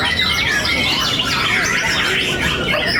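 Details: Young White-rumped shama, long-tailed (tail 28 cm), first-place winner at a night bird-song contest in Surabaya, pours out a rich, varied song of quick whistles, slurs and chattery phrases amid other birds and people.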